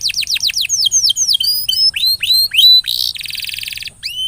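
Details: Canary lure song intended to get a stuck canary singing: quick descending sweeps, then varied hooked and rising whistles, a harsh buzzy burst, a rattling trill, and a final upslurred whistle.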